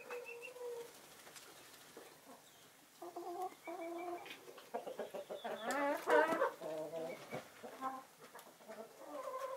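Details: Naked Neck, Marans and Easter Egger hens out in the winter sun. Low drawn notes and short clucks build into a loud, wavering squawk midway, then more scattered clucking follows.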